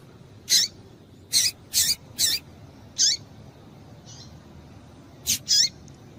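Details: Female double-collared seedeater calling to stimulate males. About eight short, high, squeaky notes, each dropping at the end, come in loose bursts of one to three roughly every half second to second. Faint hiss behind.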